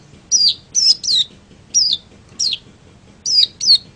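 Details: A long-tailed shrike, recorded as a tutor for other songbirds, gives seven sharp, high whistled notes, each slurring downward, in uneven pairs and singles over four seconds.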